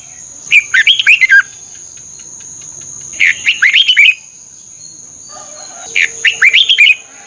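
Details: Red-whiskered bulbul song from Thailand, played for training and exciting caged birds: three short bursts of bright, warbling, rising-and-falling whistled notes, each lasting under a second and spaced about two and a half seconds apart, over a steady high electronic whine.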